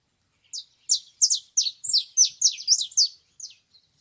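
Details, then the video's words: Canary in nature singing a rapid series of high, sweeping trilled notes, about ten quick phrases rising in loudness then fading, in a clean, quiet setting. "La vie de l'oiseau canari dans la nature طائر الكناري في الطبيعة"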